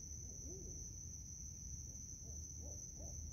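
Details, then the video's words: Barred owls in a park at night, five birds calling back and forth; one arched hoot followed by a run of rising and falling hoots, with constant high insect buzz and low rumble behind. "The Calls of the Beautiful Barred Owl - In the Middle of a Park with 5 of Them"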